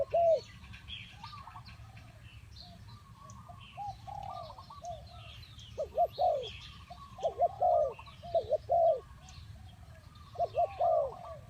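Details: Lure spotted dove used for bird trapping, giving loud opening coos, a quieter pause, then clustered series of rounded paired notes. Light, busy chirping of other birds continues throughout.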